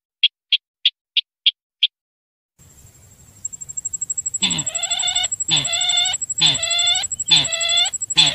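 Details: Sintar lure calls: six short sharp clicks open the recording, then after a hiss come about four loud, rasping, harmonic notes spaced roughly a second apart over a faint steady high tone.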